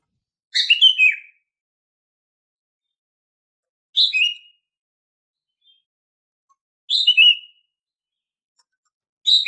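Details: Female green leafbird giving her daily call, used to prompt silent males to sing: short, sharp chirpy phrases, each a quick burst dropping in pitch, repeated every three seconds or so against silence.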